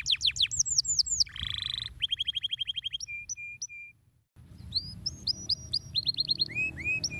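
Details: Canary singing to encourage other birds to sing: quick falling whistles, a dense buzzy trill, a run of rising chirps and flat notes, a brief silence, then varied upswept whistled phrases.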